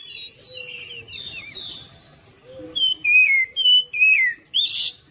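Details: Lure song of an Oriental magpie-robin meant to get other birds singing: quiet warbling whistles give way to a loud series of about six emphatic downslurred whistled notes.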